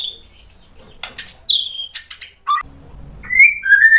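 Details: A white-rumped shama, provoked into singing, gives scattered notes: a thin whistle, sharp clicks, a level whistled phrase, then rising and falling slurred whistles near the end, with pauses between.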